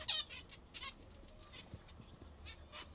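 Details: Pet zebra finches feeding on what they like best utter a sharp nasal call at the start, followed by a few softer, spaced harmonic notes and faint pecking sounds.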